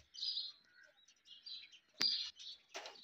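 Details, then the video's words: Indian ringneck parakeet giving high, harsh chattering calls in short bursts, with a sharp click and a louder broadband screech near the end. "Natural sound Indian Ringneck"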